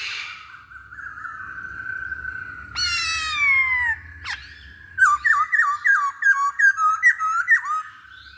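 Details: Masked laughingthrush song used as a lure so other birds start singing: a long level whistle, a harsh descending rasp, then a fast string of about a dozen clipped, bent notes repeated in rhythm.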